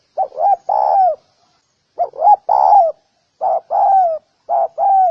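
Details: Spotted dove cooing: three low phrases, each of two or three short hooted notes leading into a longer, slightly falling coo, spaced about one to one and a half seconds apart, with silent gaps and no other sounds.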